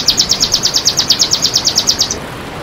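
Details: Red siskin, tutoring and lure recording: a steady, high rattling trill of about twenty quick identical chirps, evenly spaced and lasting around two seconds, then quiet.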